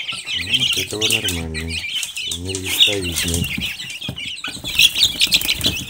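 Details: Silkie chicks keep up high, rapid peeping while a person talks clearly in the foreground, plus some fluttering and rustling.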